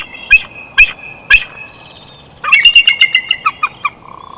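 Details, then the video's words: Wild bald eagle chortling at its Big Bear Valley nest, recorded by nest cam on 12 June 2021. Three sharp, piercing notes spaced half a second apart, a pause, then a rapid tumbling run of about ten piping notes. "Big Bear Eagles🦅6 1/2 Hours Of Jackie Zen☮Silent Yet Deadly PS🚻Wingslap At Raven&Chortles🎶"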